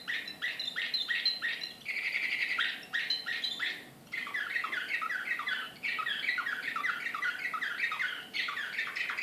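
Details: Srpski slavujar canary, a song canary breed, recorded in Belgrade in 2014, singing excitedly: dense rapid trills and rolling chattering phrases in quick succession, with brief pauses between bursts and quiet background hiss.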